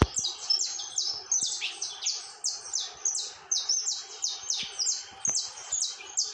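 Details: Saffron finch (canário-da-terra) in unbroken song: rapid high, sharp, descending chips in repeated bursts about once a second, with scattered light clicks in the background.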